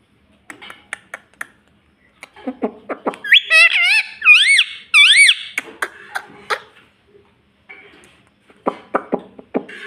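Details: Talking pet ring-necked parrot indoors: scattered clicks and taps, then a short run of high, arching speech-like syllables in the middle, followed by more clicking and soft noises.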